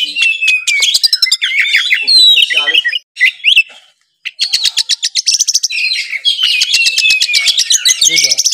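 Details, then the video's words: Oriental magpie-robin from Kudus pouring out song stuffed with sparrow-fight and kingfisher imitations; loud fluting whistles and chatter, a brief silence near the middle, then long runs of rapid ticking notes and slurred whistles. "KACER GACOR FULL NEMBAK ISIAN MEWAH ,GEREJA TARUNG TENGKEK"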